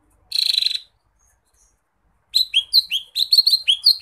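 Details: Lesser green leafbird singing vigorously, a tutor recording: a harsh buzzy burst of about half a second, a pause, then a quick run of high, sharply down-slurred whistled notes with metallic chirps, clean and free of background noise.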